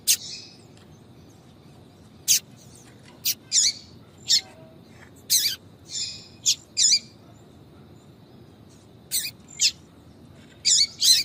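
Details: Female yellow-bellied seedeater 'tui tui' calling, used to fire up males: bursts of bright, high, clipped notes, some doubled, scattered irregularly across the recording with quiet steady background hiss.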